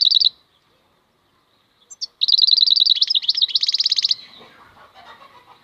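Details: European goldfinch, a wild bird, delivering a long rapid twittering phrase of high repeated notes that shifts into buzzier, wider-ranging elements before trailing off into faint background noise.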